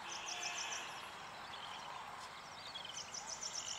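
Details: Yellow-eyed babbler near a farmhouse in India giving quick, high chirping notes in short twittering bursts, set against a steady rural background hiss.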